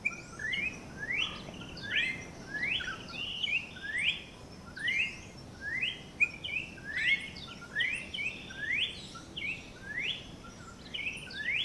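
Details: Campo troupial song: repeated short whistled notes sweeping upward, some doubled, delivered in a continuous series over eleven seconds with faint background hiss.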